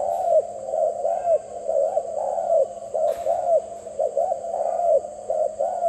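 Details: Doves cooing in bursts of quick, soft, mellow notes, each burst rising and falling, over a steady low electrical hum and a faint high whine.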